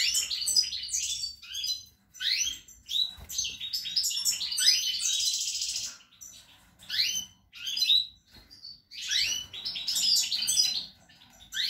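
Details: European goldfinch at a cage nest where the female sits, with four young, spring 2020: lively twittering song of rapid tinkling notes and sweeping buzzy slurs in bursts of one to two seconds with short gaps.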